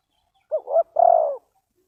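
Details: Spotted dove heard close in a lure setting: a clear, isolated coo phrase, two brief upslurred notes joined to a longer steady mellow coo, with silence around it.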